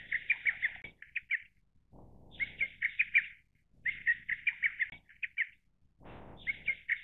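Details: Lesser cuckoo giving repeated phrases of quick, loud whistled notes, each phrase about a second long and followed by a short tail of notes, with gusts of low rushing noise in the gaps.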